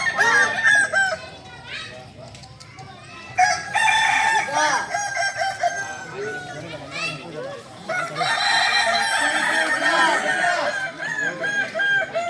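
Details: Crowing performance practice by Kukuak Balenggek, Solok's native singing chicken: waves of loud overlapping crows alternating with calmer passages of low bouncing clucks, the crowing resuming strongly in long stepped phrases.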